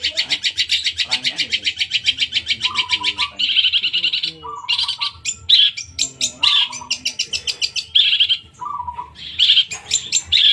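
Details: Long-tailed shrike in loud, harsh song: rapid runs of rattling, scratchy notes, chattering bursts and repeated hoarse phrases, with short lower nasal tones interspersed, continuous throughout.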